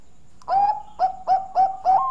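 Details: Bangkok-type zebra dove cooing: a longer opening coo followed by four short, evenly spaced mellow notes at a steady low pitch, about one every quarter second.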